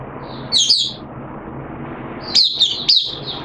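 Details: Caged oriental white-eye on its second day of a monthly deworming treatment, 13 September 2022, giving a brief high chirp followed by a quick burst of three twittering notes after a pause, over faint low background hum.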